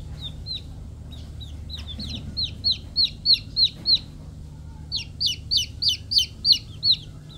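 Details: Chicks peeping: a steady run of high, sharp, down-slurred peeps, roughly three per second, with a short pause near the middle and a low background hum throughout.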